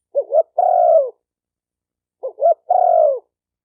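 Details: Two clear phrases from a spotted dove about two seconds apart: a pair of short rising hooted notes, then an extended gently falling coo, with silence around them.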